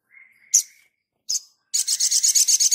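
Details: Sogon in lively song, used as a tutor recording for birds: a thin, level whistle under a harsh note, another raspy note, then a fast rattling series of loud scratchy pulses.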